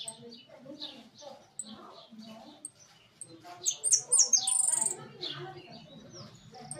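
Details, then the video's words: Caged hooded siskin: soft, busy chattering at first, then a loud burst of rapid, high buzzy twitters and a drawn-out trilled note, amid faint background murmur. "Jilguero amarillo priando en jaulon."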